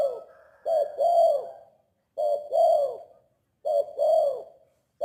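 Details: Tame, very vocal spotted dove giving three low, soft coo phrases, each a brief note leading into a fuller swelling coo, spaced roughly every one and a half seconds, with a faint steady high-pitched hum in the background.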